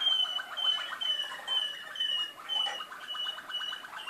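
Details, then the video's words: Malinois canary singing in Skopje: a clear whistled note repeated about twice per second over a softer, lower bubbling roll, with the loudness rising and falling in waves. "malino kanarinci"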